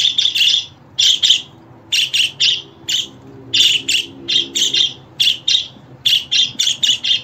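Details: Budgerigar song played to get a pet budgerigar to sing and answer: bright, buzzy chirps in quick clusters of two to four, repeated about every second, steady and loud throughout.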